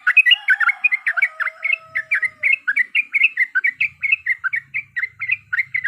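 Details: Yellow-vented bulbul sings to provoke fighting: rapid bubbly chirps repeated in a steady stream, with a faint falling whistle-like tone beneath the first half and a light low rumble later.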